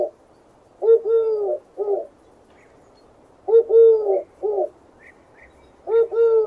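A dove gives low, soft hooting coos, one drawn-out note then a shorter one, the phrase repeating about every three seconds, with faint chirps of small birds behind.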